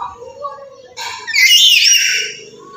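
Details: Black-capped lory from Papua calling loudly to set other birds off. Soft low murmurs come first, then one long, harsh, wavering screech.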